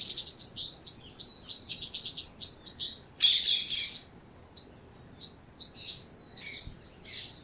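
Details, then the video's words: One of a nesting pair of Purple-rumped Sunbirds gives high, thin, sharp chips, first in a fast twittering run, then spaced single notes roughly every half second. "purple rumped Sunbird"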